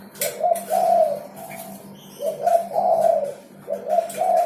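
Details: Prolifically singing spotted dove, its song used to coax silent birds into voice: soft hollow coo phrases repeated about every one and a half seconds, each rising then sliding down, over a constant low electrical hum.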